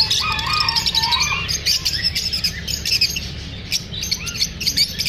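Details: Pet lovebirds chirping after feeling unsafe while being filmed: a dense, continuous chatter of high, sharp chirps and short twittering notes, several birds calling over one another with no pauses, over a low steady background hum.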